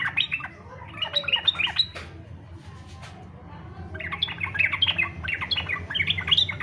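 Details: Fighter-style song of a yellow-vented bulbul, played to set other bulbuls singing: a burst of hurried, squeaky, jumping notes, a quiet two-second gap, then another lively chattering run over faint background hum.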